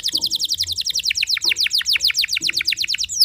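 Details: Canary singing to provoke rival canaries, pouring out a rapid, evenly paced series of high descending chirps, roughly four to five per second, with faint low background noise.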